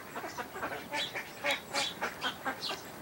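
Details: An American black duck × mallard hybrid at Port Colborne on August 11, 2022, gives a quick run of about a dozen short, nasal, raspy quacks, roughly three to four per second, over faint background hiss.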